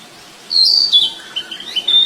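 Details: Wild flycatcher singing: a bright high whistled phrase that wavers and slides slightly downward, followed by a run of short rising chirps, with a quiet background.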